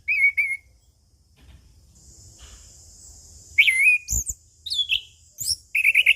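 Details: Orange-headed thrush, anis kembang, in relaxed ngeplong singing used as training and lure song: a whistled phrase, a near-silent stretch with a faint high hiss, then sharp rising and falling whistles and rapid repeated notes.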